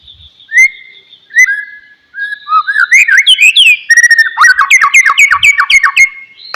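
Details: White-rumped shama song played as a lure to prompt a quiet, idle bird to sing: clear sustained whistles, then rapid descending and rising notes, ending in a fast train of short sweeping chirps.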